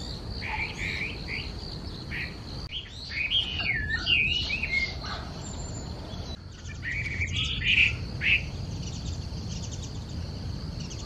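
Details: A Chinese hwamei at Okurayama Park sings bursts of rich, varied whistles that slur up and down, with short pauses between phrases, over a steady high insect drone and low background rumble.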